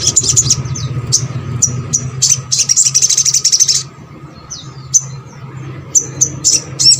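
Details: Sogok ontong, or crimson sunbird, singing as lure material to get lazy birds to sing: a sharp, high twittering trill for nearly four seconds, then scattered thin chirps and short slurred notes over a low hum.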